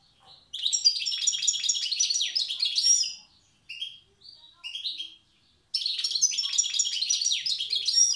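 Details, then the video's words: Wild European goldfinch from Tiaret singing in the old song style: two long bursts of rapid, twittering high notes with buzzy trills and sharp whistled accents, separated by a short pause with a few brief phrases. "تغريد حسون تيارت( أداء الحسون البري اللغة القديمة)"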